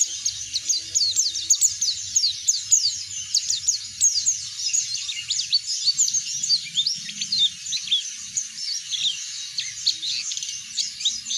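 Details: Long, relentless high twittering from an Oriental white-eye in loud 'ngeplong' style, sung as a prompt for other birds. Dense, rapid slurred chirps fill eleven seconds, with a soft low background rumble.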